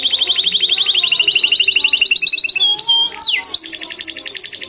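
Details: Canary, an F1 bird, in continuous blackthroat-style song; fast even trills, then a brief run of sliding whistled notes and a sharp sweep, followed by a high quick trill.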